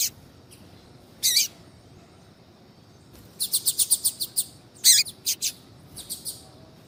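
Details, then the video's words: Female double-collared seedeater from kept birds calling to spur a male into song; one harsh slurred note, a pause, then a fast run of high repeated ticks, a loud burst and fading chirps. "FÊMEA DE COLEIRO CHAMANDO PARA ESQUENTAR COLEIRO TUI TUI"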